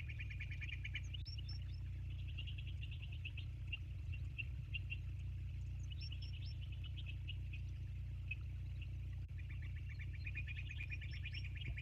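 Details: Bald eagles filmed by a live nest camera at Sauces on 29 January 2024, 22:51; several bursts of rapid high piping chatter, each a few seconds long with quick squeaky upslurs, separated by pauses, under a constant low wind rumble.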